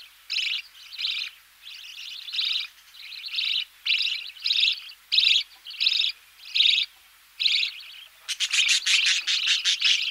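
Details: Budgerigar chicks begging while being fed in the nest, a knocking noise in the background: harsh, raspy chirps in short bursts about once a second, ending in a rapid rattling series of pulses.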